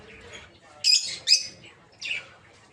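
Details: Peach-faced lovebirds in a breeding aviary, colour mutations including red-headed green opaline, blue rosy and lutino; three short, shrill screeches break an otherwise quiet stretch.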